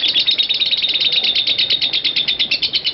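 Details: Ngekek of a lovebird, used as master recording for training other lovebirds: fast, shrill, metallic chatter of closely packed notes, slightly uneven in loudness, running without break; a man's voice speaks briefly nearby.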